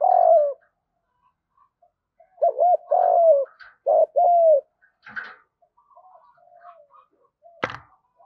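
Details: Spotted dove giving lure fighting coos in field-voice style: an opening falling coo, then two paired calls of doubled short notes and longer coos, soft trailing murmurs and one sharp click near the end.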